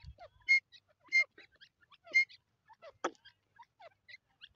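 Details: Grey francolin, known locally as Dakhni teeter, giving loud harmonic ringing notes roughly every second, three strong ones followed by quieter scattered chirps from other birds and a brief sharp click.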